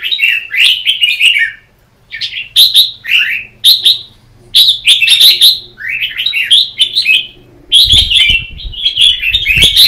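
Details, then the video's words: Caged red-whiskered bulbul singing competitively during morning training, bursts of rich, warbling whistled phrases with quick chirps, separated by short pauses, repeated through the recording; a low hum sits underneath. "Chào mào Luyện hót đấu mỗi sáng 30' - Căng lửa hót hay"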